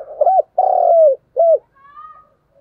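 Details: Decoy spotted dove cooing hard: a rolled double note, a long slurred coo sliding downward, and a brief final coo, low and throaty, followed by a faint thin whistle.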